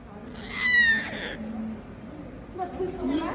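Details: A talking pet cockatoo named Coconut gives a short, voice-like phrase with a bright, slightly falling tone, then softer murmured sounds, over a faint room background.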